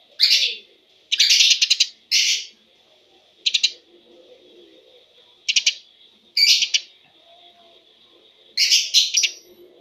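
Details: Eurasian tree sparrow recording meant as a lure and filler for caged birds: six loud clusters of harsh, rapid chirps spaced irregularly a second or two apart, with a steady high hum running between them.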